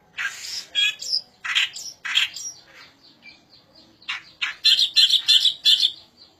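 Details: Striated grassbird song made of loud, rapid phrases of harsh chirps and squeaky notes, delivered in quick bursts about a second apart and ending in a dense, high trill.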